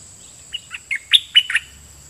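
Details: Decoy red-whiskered bulbul singing toward wild birds: a short phrase of six clear, liquid notes that grow louder toward the end, with a thin steady whine in the background.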